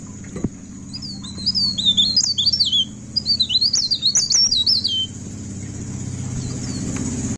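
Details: Pied bushchat in full continuous song at midnight: about three and a half seconds of fast, high, slurred and zigzagging whistled phrases, over a constant shrill background tone and low rumbling noise.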